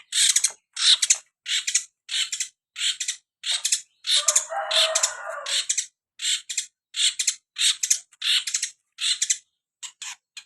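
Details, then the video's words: Long-tailed shrike from Madura singing actively: grating, rasping notes repeated about one and a half times a second, broken by a longer noisy churring stretch partway through. "CENTED MADURA GACOR"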